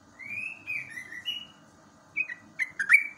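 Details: Yellow-vented bulbul recorded naturally in the morning as tutor song for young caged birds: a slurred whistle rising and falling, then bubbly clipped notes near the end against a quiet background.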